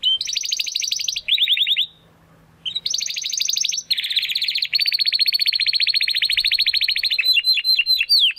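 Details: Spanish Timbrado canary, a young male in classic style trying out his full song, pours out long fast metallic rolls, a brief pause, then a sustained even trill ending in quick sweeping notes.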